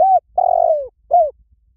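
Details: Three mellow coos from a spotted dove: brief, then long and slowly descending, then brief again, clear and close.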